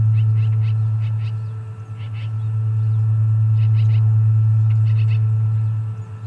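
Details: Osprey at the Charlo Osprey Nest, 29 August 2021: short chirping calls in quick clusters of two or three, about three clusters a second, over a steady low electrical hum.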